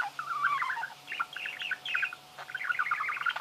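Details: Budgerigar chirping in a quick, continuous warble of short twisting whistled notes and chatter.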